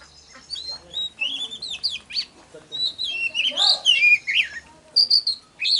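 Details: Oriental magpie-robin song used as a lure: scattered whistled and slurred notes, some rising and falling sweeps, separated by short gaps, with faint low background noise.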